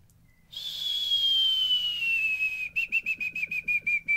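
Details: Lure sound of a white-rumped shama, original and without effects, to provoke lazy birds into song and breeding mood. A long, high, pure whistle slowly falls in pitch, then breaks into about a dozen fast repeated whistled notes.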